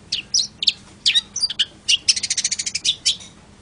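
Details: Long-tailed shrike (cendet) song: mixed scratchy chirps and thin whistles, followed by a fast rhythmic trill of about a dozen bright repeated notes before a final chirp.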